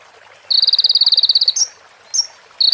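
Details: Sunbird (konin) song made for training other birds, with prinia and ciblek fill-ins: one quick, high, evenly pulsed trill about a second long, then two short upslurred chips and the start of another trill.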